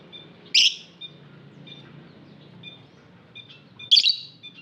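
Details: Lovebird in an aviary giving two loud, harsh chirps about three seconds apart, with faint, thin twittering notes in the background between them.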